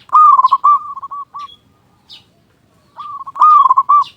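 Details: Local zebra dove singing strongly as a lure to stimulate other zebra doves: a bright, rapidly rolled cooing phrase that stutters to a stop, a short silence, then the trill resumes; scattered high chirps of other birds.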